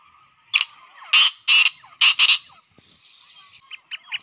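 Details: Black francolin call meant to lure francolins in fast and stir them up: one loud, rasping phrase of about five harsh notes that starts with a short chip and then swells into broad buzzy grates. Fainter bird chirps follow.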